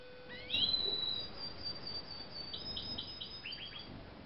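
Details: Song of a Eurasian siskin × canary hybrid recorded in 2013: a high whistled note rising into a long sustained tone, followed by short repeated buzzy chirps and quick downward slurs.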